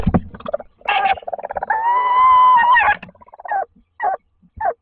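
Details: At a nest box in Toledo, Spain, a tawny owl male that arrived in daytime trades affectionate soft calls with the female inside: quick chattering bursts, then a long, steady, slightly wavering note, then short rising squeaks.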